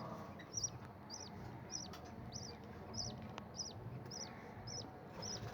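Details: A budgerigar chick gives short, high, arched chirps again and again, begging for food while its mother feeds it.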